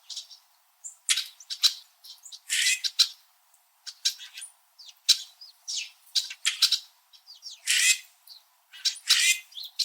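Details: In winter, several red-winged blackbirds perched high in backyard trees in southern Ontario's Niagara region chirp at each other: sharp, high chek notes and harsh, buzzy chatters at an uneven pace, calling over one another.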